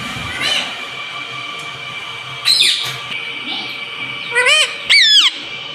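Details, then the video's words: Pet green parrot said to talk "mummy" and "mitthu": a few short, harmonic, vowel-like squawks, the last two close together and rising then falling, over a steady hum in a quiet room. "Ye mittu mummy bolne wala tota [] Talking Parrot [] mitthu mitthu"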